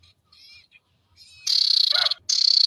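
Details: Ashy tailorbird singing loudly: faint thin whistles lead into two harsh, buzzy, rattling bursts, broken by a brief lower sweeping note.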